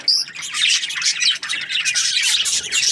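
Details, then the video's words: Budgerigars in the morning give quick, bright, twittering chirps and short whistled notes, packed closely together. "Amazing budgies chirping sounds in the morning"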